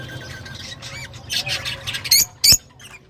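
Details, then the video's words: Lovebirds calling, a mix of harsh squawks and chirps, with two loud sharp shrieks near the end over a low steady hum. "تغريدروز/صوت روز /Love Bird Sound"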